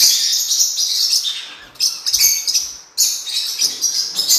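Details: Blue-winged parrotlet giving rapid, high-pitched chattering song, fading briefly near the middle and again before the end, then resuming with scratchy twitters.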